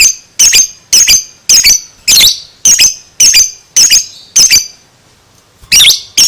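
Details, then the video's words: Two-month-old lovebird calling in quick shrill double and triple squawks, roughly two per second, with a brief pause near the end before calling resumes; a quiet room otherwise. "Lovebird 2 Bulan gak BAKALAN DIAM, Langsung NYAUT NGEKEK"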